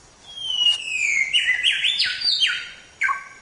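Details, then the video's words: Samyong training recording for songbirds: a clear whistled note sliding downward, followed by loud buzzy rising-and-falling phrases and a final sharp falling note, with no other sounds. "Suara Burung Samyong | Gacor"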